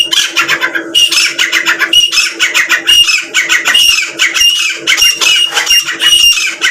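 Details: A female grey francolin gives loud, shrill, harsh phrases repeated rapidly and almost without pause, over a steady low hum.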